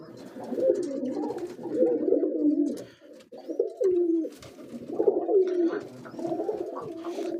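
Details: Pigeon chick being fed by its mother in a nest box, with steady rough, throaty, wavering calls in bursts about a second or two long, separated by short pauses.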